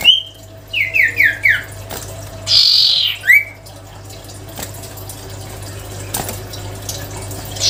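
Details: Lively song of the sirtu bird: a whistle, then four quick falling whistled notes in a row, a loud buzzy note and a rising whistle, followed by quieter hum and faint sounds.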